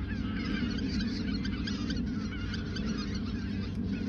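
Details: Geese in the Ochsenmoor nature reserve in autumn 2022, a few days before migrating south; a dense flock gives overlapping nasal honks without pause, over a steady low droning hum.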